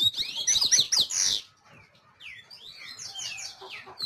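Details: A coleiro (double-collared seedeater) opens with a dense, rapid, high twittering phrase, pauses, then follows with softer separate slurred whistles rising and falling.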